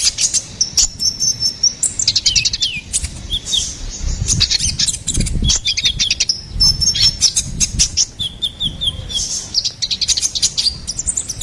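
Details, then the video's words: Ruby-cheeked sunbird in full, energetic song, used as a tutor recording and lure for songbirds: rapid high twittering with thin whistled notes and quick buzzy trills, bursts packed closely over the whole stretch. "SUARA GACORAN KONIN KOLIBRI NINJA"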